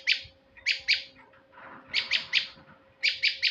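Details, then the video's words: Male prinia used to lure birds, calling in short runs of two or three high, rasping chips. A brief soft rushing noise sits between the runs, and a low hum continues throughout. "pikat burung prenjak jantan"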